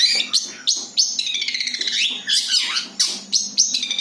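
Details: Cendet song without borrowed phrases, played as a lure for other birds: harsh high notes around a long buzzy rattling phrase in the middle.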